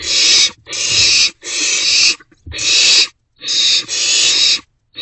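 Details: Several barn owlets in an owl box around 2 am in March, sharing prey; loud, nearly continuous overlapping hissing screeches, six drawn-out rasps in quick succession.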